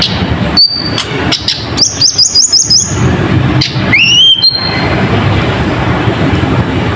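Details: Sunbird song, used to stir up other birds that have stopped singing: high, thin rising whistles and a quick run of sharp trilled notes, then a clear upswept whistle, over steady loud background rumble.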